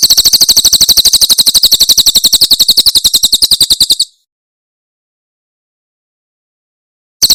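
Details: Cililin 'tembakan' song of a Javan prinia, used as a tutoring recording for songbirds: four seconds of quick, piercing chip notes in an even rattle. Silence follows, then a few notes at the very end.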